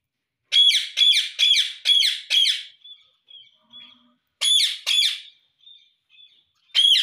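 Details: Pet Indian ringneck parrot saying "mummy mummy" indoors: a run of five rapid harsh harmonic calls, faint short peeps, then paired calls and a final one.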